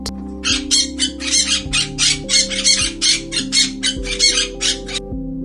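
A parrot gives a fast run of about twenty harsh, raspy squawks in quick succession over steady background music.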